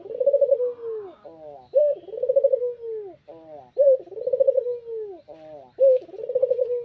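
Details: Spotted dove calling in the afternoon, used as a lure to attract rivals: low soft cooing phrases, each a quavering coo falling into a drawn-out note, repeated about every two seconds with short harmonic-rich notes between.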